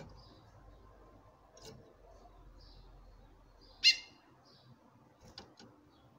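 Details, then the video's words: A single loud, rasping chip from a female chestnut-bellied seed finch calling to a male stands out against quiet background ticks. "FÊMEA DE CURIÓ CHAMANDO MUITO"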